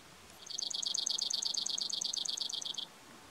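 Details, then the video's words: Brewer's sparrow singing at Bodie State Park, Mono County, California: a long, fast, even trill of high buzzy notes, about eight per second, held for over two seconds against quiet background. "Brewer's Sparrow singing"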